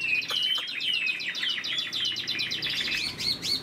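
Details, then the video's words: Caged Chinese hwamei in moult, described as an experienced wild-caught singer, delivering a rapid run of rich whistled notes, some slurred downward, others quick repeated chirps, continuous and loud throughout. "Chim họa mi đang thay lông, bộ to đẹp, hót cao cầu"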